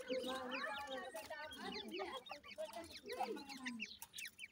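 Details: Grey francolin chicks at a nest keep up crowded high chirping along with lower, rasping clucks in irregular bursts.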